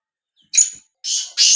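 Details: Black francolin giving brief harsh notes: one short rasping note, then two drawn-out buzzy notes close together, loud and grating.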